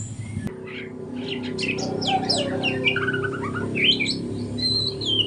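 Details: Young white-rumped shama in spotted juvenile plumage learning to sing in the morning: a lively run of varied high whistles, quick slurred notes and short trills that fill the clip over a steady low hum.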